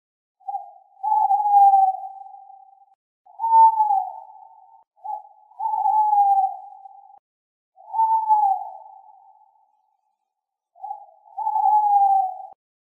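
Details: Repeated hooting of a Tawny owl: five long, steady, mid-pitched notes, each one to two seconds long, coming every two to three seconds against a silent background.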